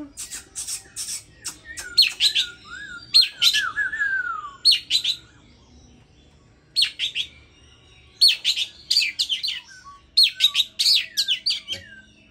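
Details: Oriental magpie-robin in a cage, five days into taming after being bought online, singing with excitement in response to a played hwamei recording: bursts of sharp chirps and whistles, one long descending slurred whistle, phrases separated by short pauses.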